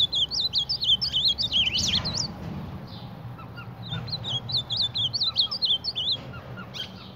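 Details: Ultramarine grosbeak, or reina mora, battling its mirror image, giving quick chains of warbled high notes that rise and fall, with a louder burst near two seconds and low background rumble.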